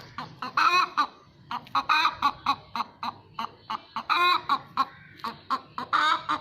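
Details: Hen calling loudly after laying an egg: a run of short harsh clucks broken by longer, strained squawking cackles, repeated in bursts with brief pauses between them.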